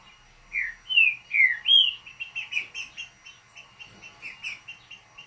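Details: Green-winged saltator, a true trinca-ferro, singing the short mateiro song: four loud slurred whistles, rising then falling around two to three kilohertz, followed by a quicker run of softer repeated chips.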